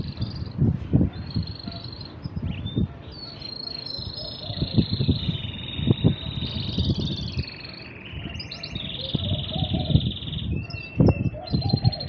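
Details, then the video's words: Pair of male canaries taking turns singing nonstop, producing a continuous stream of high trills and whistled phrases that shift slightly in pitch, accompanied by frequent low thumps and knocking sounds. "Два кенара поют по очереди, без остановки."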